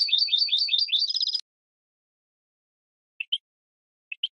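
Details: Goldfinch song on a 2017 training recording for captive birds, starting with quick repeated twittering notes that run into a dense trill, then silence broken by a few short paired chirps.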